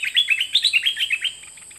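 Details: Nok dok taeng bird singing on a 2020 recording made to teach young birds to sing along: a rapid, high, sweet twittering run of about ten clipped chirps that fades out toward the end.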